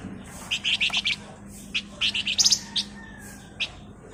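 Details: Male flamboyan used as a lure, giving scattered groups of short, sharp high chips and a few single notes against a steady background hiss and low hum.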